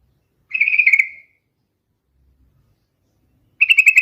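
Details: Sooty-headed bulbul song: a rapid bubbling whistled phrase lasting under a second with a trailing slurred end, then after a pause another phrase begins.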